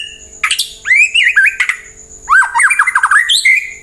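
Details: White-rumped shama singing a varied song to make other birds reply and sing: rich whistled phrases with rising and falling notes, sharp chattering bursts in between, and a steady high background tone throughout.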